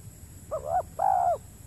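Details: Spotted dove at a trapping spot with a lure bird on peat land in the Riau Islands, Indonesia, giving a short hollow coo followed by a longer, slightly falling coo.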